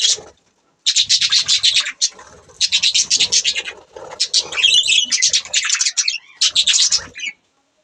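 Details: Budgerigars chattering, called talking and chirping: long rhythmic bursts of buzzy rasping warble, pulsing several times a second, with brief pauses between phrases.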